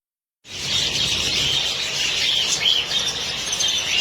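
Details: A colony of about 100 pairs of budgerigars chattering while eating seeds, a dense wash of high chirps and warbles.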